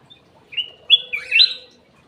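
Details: Cucak emas, or golden bulbul, singing as a lure in an aviary: one brief, clear phrase of three rich whistled slurs, the last rising and bubbling, against near silence.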